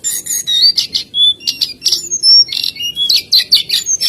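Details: Energetic jongkangan singing, with scattered sharp whistles, upward and downward slurs, and dense bursts of buzzy high chirping.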